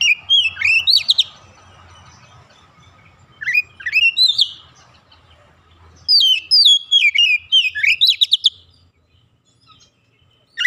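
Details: Oriental magpie-robin, an untrained bird singing actively and unloading its fill repertoire: three separate bursts of crisp, quickly alternating whistled slurs and chirps, separated by gaps of roughly two seconds, with faint low rumble beneath.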